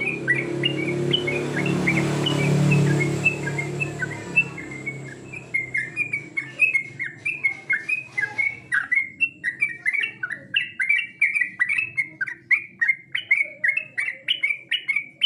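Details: Competition song of a yellow-vented bulbul: after a few seconds of low background rumble, a long, lively stream of short whistled, bouncing notes repeated several times per second and getting louder toward the end.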